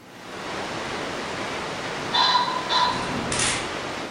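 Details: A wild male ring-necked pheasant in early spring, head raised on a rock, gives a harsh, loud double territorial crow, notes about half a second apart, with whirring wingbeats, warning rival males and attracting females, over steady hiss.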